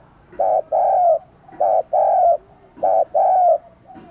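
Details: Decoy spotted dove, kept to lure wild doves, gives steady paired coos: a short hollow note, then a longer one sliding slightly down, repeated three times at even spacing.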